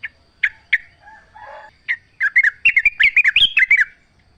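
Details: Wild sooty-headed bulbul in full song outdoors: scattered sharp single chirps at first, then a fast run of bubbling, rising and falling whistled notes in one lively phrase, with a quiet background.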